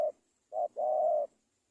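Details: Spotted dove calling: a short soft coo, a pause, then a brief note followed by a long, smooth, low hooting coo held for about half a second in a quiet setting.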